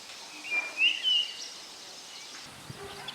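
A Common iora gives a brief burst of high, slurred whistles lasting about a second, over steady background hiss with a low rumble near the end.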